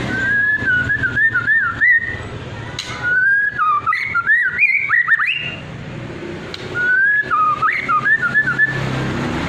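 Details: White-rumped shama in trotol and pastol style, used as a lure to provoke other birds into singing: rich whistled phrases with rising and falling trills, sliding notes and quick flourishes, separated by short pauses over low background hum.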